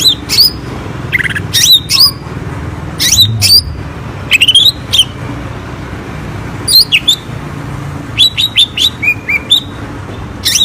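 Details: ['Juvenile (trotol) greater green leafbird song, used as a lure for birds reluctant to sing: sharp, high whistled notes and squeaky chips in short bursts with pauses between, over a low background hum.']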